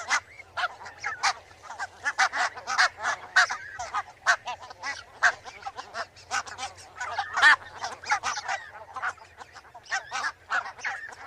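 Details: Barnacle goose flock keeping up a steady clamour of short, sharp barking notes, crowded and uneven in rhythm, with some calls standing out louder than the rest.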